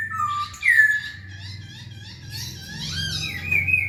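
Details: Masked laughingthrush in full song, used to provoke lazy birds to sing: loud sliding whistles, a stretch of buzzy chatter, then another rising whistle, over a low mechanical hum.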